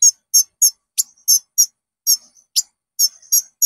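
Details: Konin lure song for caged birds: a brisk string of short, very high doubled chip notes, a few sharper upward flicks among them, roughly three notes a second.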